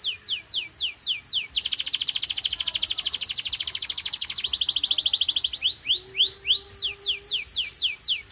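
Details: Canary singing at full power, a recording meant as a stimulus to prompt other canaries to sing: a run of steeply falling whistled sweeps, then a long rapid buzzy trill for about four seconds, then more falling sweeps, with a faint low steady tone near the end.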